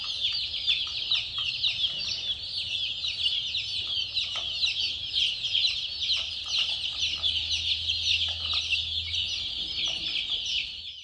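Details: Chicks chirping nonstop: a busy chorus of thin, high, rapid peeps from many birds, over a faint low humming noise.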